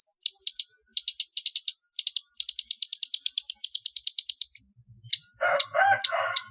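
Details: {'text': 'Long-tailed shrike song played as training material for competition birds: dense, rapid runs of high clicking notes in quick bursts, followed by a harsher, broader squawking phrase near the end.'}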